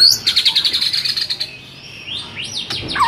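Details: Caged white-rumped shama training song meant to stir a quiet bird into singing: a fast rattling trill of about a dozen rapid notes, then softer rising and falling whistles ending in a sharp downswept note.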